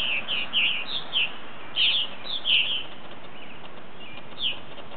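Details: About ten or eleven Purple Martins returning from last year come in for the night, giving short, bright chirps and gurgling notes, calling irregularly once or twice a second over a low outdoor rumble; 2010. Finding: Purple martin.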